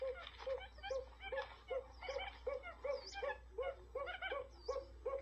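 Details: Decoy sound for trapping buttonquail: rapid, husky clucks repeated roughly two to three times per second, mixed with chattering notes, over a constant low electrical hum.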